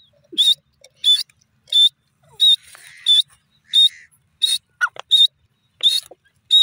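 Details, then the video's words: Grey francolin, known locally as dasi teetar, giving a run of piercing, high-pitched notes about every 0.7 seconds. A few faint, softer chirps fall between the calls against an otherwise still background. "dasi teeter ki awaz, grey francolini calling"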